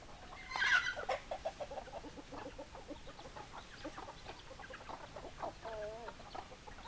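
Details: Hens clucking in a farmyard: a loud squawk near the start, then a steady run of short clucks from several birds and a wavering drawn-out call near the end.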